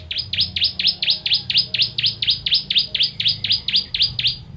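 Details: Ciblek (bar-winged prinia) delivering a continuous, metronomic run of about twenty sharp, high, down-slurred notes, roughly four and a half per second, a 'tembakan pedas' song used to tutor songbirds.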